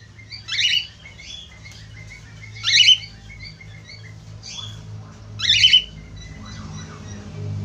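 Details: Budgerigar song to stimulate other budgerigars to sing: three separated buzzy, squawking bursts roughly every 2.5 seconds with faint chatter between, steady low hum behind.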